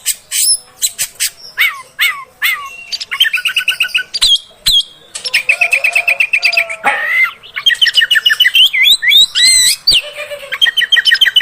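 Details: Female oriental magpie-robin sound used to provoke males: varied song of quick rising and falling whistles, rapid buzzy trills repeated in steady bursts, sharp clicks and sweeping high notes, loud and continuous.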